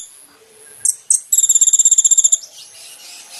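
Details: Kolibri ninja, caged-bird training recording: two sharp high notes, then a quick one-second rattling trill, with faint background hiss afterward.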